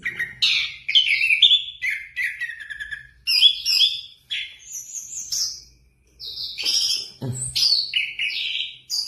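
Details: Orange-headed thrush singing a long varied run of quick whistled phrases, some sliding up or down, mixed with chattering notes and short pauses, and a brief low thump near the end.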